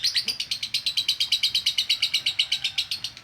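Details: A female lovebird chatters in konslet style for training, steady, evenly spaced harsh chirps, roughly seven per second, loud and rhythmic across the whole stretch.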